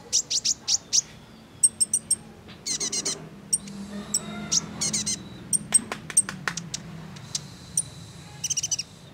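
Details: Calls of a female sunbird, known locally as kolibri ninja, meant to trigger male singing: clusters of piercing high chips and sputtering twitters alternating with short pauses, plus a faint low hum in the background.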